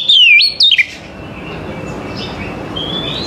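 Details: Oriental magpie-robin in the morning, sung to get other magpie-robins to answer: one brief loud phrase of swooping, bright whistles dipping and leaping, followed by quiet background hiss and a faint distant whistle.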